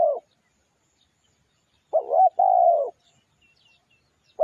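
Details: Cooing of a spotted dove meant to lure wild doves. One full phrase of a short wavering coo then a long steady hoot, with cut-off phrases at both edges and faint high chirps from small birds in the background.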